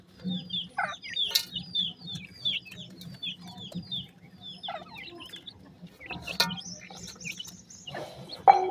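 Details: Partridge chicks, grey francolin, while feeding: bursts of thin, high downslurred peeps in clustered runs separated by quieter pauses, with a few sharp knocks and a low steady hum beneath.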